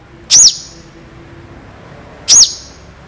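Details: Long-tailed shrike, recorded for bird training, giving two piercing, arched notes about two seconds apart, each sharp and clean with a short ringing trail, over a quiet background.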